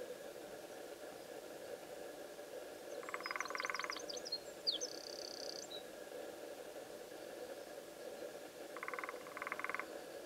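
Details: Lesser spotted woodpecker marking its territory by drumming on a wooden post at ESA de Castelo Branco on 16 February 2013: two short, rapid drum rolls several seconds apart, with thin high bird chirps and a steady low hum.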